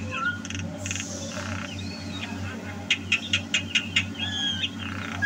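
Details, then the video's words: Javan myna song from 2022 mixing soft whistled glides with a row of about seven crisp clicks in quick succession, then a wavering whistle, all over a low continuous hum. "Suara Burung Jalak KEBO Gacor"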